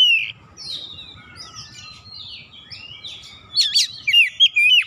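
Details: Oriental magpie-robin (kacer) singing: a brief high whistle opens, then quiet scratchy notes over a low hum, ending in loud rapid whistled swoops and sharp up-and-down slurs.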